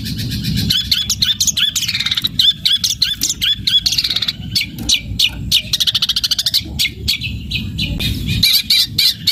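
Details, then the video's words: Long-tailed shrike in vigorous fighting-style song with sparrow-imitation material, in long drawn-out phrases: dense, rapid high chirps and ticking notes repeated several times a second, with buzzy strokes and steady low background hum. "Cendet Gacor Materi Gereja tarung Nyeret"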